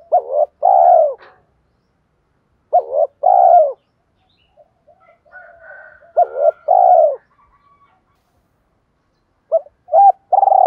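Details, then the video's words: Caged spotted dove used as a lure for wild doves, calling 'thúc dút' phrases: short clipped coos followed by a longer rounded coo, repeated in four bursts about every three seconds, with quiet gaps between. "chim cu gáy mồi thúc dút dùng tập bổi và mồi hàng ngày"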